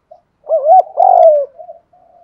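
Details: Spotted dove cooing, male and female, used to rouse wild doves: a rising, wavering coo runs into a loud, long, deep note that slides down, followed by faint soft murmurs.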